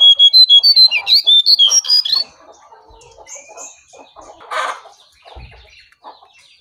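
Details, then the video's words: Sooty-headed bulbul, wild bird facing a caged bird, which ends with the wild one fleeing. A rapid series of loud whistled notes, some rising and some falling, about two seconds long. Fainter chattering and clucking follows. "Aksi Jongkangan Liar Vs jongkangan sangkar"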